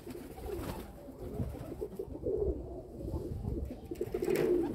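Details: Domestic pigeons, heard faintly: soft coo phrases surface near the middle and again near the end, over dull low-frequency rumbling and handling noise.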